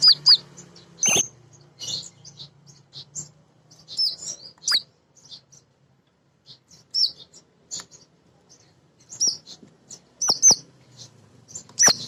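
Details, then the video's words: A female kolibri ninja sunbird calling busily, used as a lure to make other birds sing; sharp high chirps and brief twittered phrases come in scattered groups with short pauses between them. "Kolibri Ninja BETINA Ngriwik Nyrecet"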